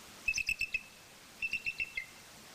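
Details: Eagles mating in Maine on Friday morning, 14 March 2014, 06:23: two quick bursts of five thin, high chittering notes, each series about half a second long, with a short pause between them.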